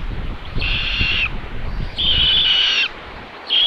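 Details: A common buzzard nest in Tiszalök, Hungary, on 27 May 2022, filmed by a solar-powered live camera while the mother delivers a chick as food. Three loud, high, steady whistled squeals, the middle one longest, sound over low background rumble.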